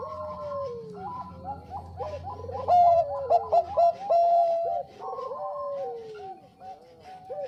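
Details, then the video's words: Bangkok-type zebra dove in full song for use as a lure: several doves overlap with falling coos and bubbling notes, then a loud run of clipped stuttering notes and a held coo, followed by further falling coos. "SUARA PERKUTUT BANGKOK GACOR AMPUH UNTUK PANCINGAN"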